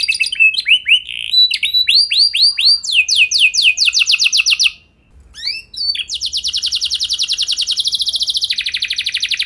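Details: Canary lure song meant to start other canaries singing: varied whistled sweeps and looping notes, a rapid trill, a short quiet gap, then a long, very even high trill over a steady buzz.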